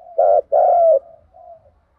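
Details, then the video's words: Mellow spotted dove coo used for stimulating cooing: a brief hollow note, then a longer drawn coo, followed by a faint trailing coo. "Cu gáy kích bổi nhanh nổi gù"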